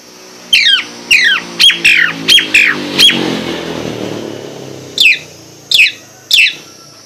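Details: Nias hill myna singing: loud, harsh squawking whistles that sweep steeply downward, delivered in a quick run of six or seven notes and then three more spaced about a second apart, over faint low background hum.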